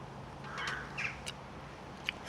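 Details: Two or three hoarse, harsh caws from a distant corvid (crow, rook or jackdaw) in Sweden, spaced under a second apart, with a few sharp clicks and a low outdoor hum.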